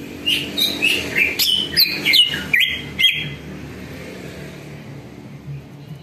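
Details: Greater green leafbird warm-up lure song meant to make other birds answer: a three-second burst of rapid, sharply inflected whistles and chirps, then quiet background hum.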